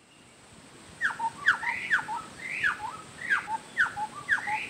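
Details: A wild chestnut-backed scimitar babbler (Pomatorhinus montanus) in Indonesia gives loud, quick, hollow whistled notes, each a sharp downslur followed by a lower note, about twice a second, over a steady high insect hiss.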